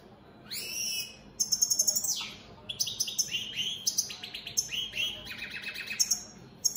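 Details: European goldfinch of an opal split Satane mutation singing: rapid tinkling, twittering phrases of high buzzy trills and sharp downslurred notes, delivered in quick bursts with brief pauses.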